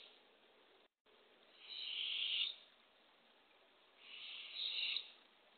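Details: Early morning at a Barred owl nest box, April 27, 2024, as a female arrives with a baby opossum for her owlets: two drawn-out, breathy hissing rasps about two seconds apart, with a brief dropout near the start.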